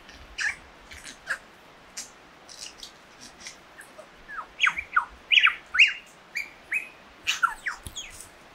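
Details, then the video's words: Lyrebird singing a varied run of sharp chirps, downward-sweeping whistles and squeaky notes in irregular bursts, rising to a louder, busier stretch midway before easing off. "Lyrebird's song"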